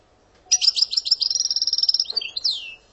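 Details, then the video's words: European goldfinch from Algeria singing a phrase of Algerian-style song with named motifs such as brrrt, gazarat and tiwawati: a fast run of bright, evenly repeated high notes that ends in a buzzy twitter and a downward whistled sweep. "Sortie برررت ڨازرات تيواواطي + passade داوداو كياكيا صاوصاو دجيو canto jilguero argelia"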